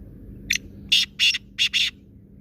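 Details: A black francolin calls: one short introductory note, then four loud, harsh, buzzy notes in quick pairs, the whole phrase lasting about one second over faint low background hum.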